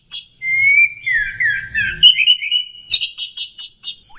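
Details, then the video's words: Punglor, or orange-headed thrush, sings a full 'isian' combination meant as a training lure for cage birds: a drawn-out wavering whistle sliding downward, followed by a quick series of about seven bright, clipped chirps. "Masteran Punglor Teler Gacor Full Isian Kombinasi Tembakan"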